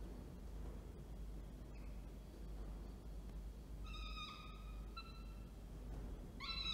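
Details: Falcon at Orange, New South Wales, on 19 October 2024, as the male arrives with food and the female feeds. After a quiet start, a few loud, harsh, harmonic calls come in short drawn-out bursts near the end over a steady low hum.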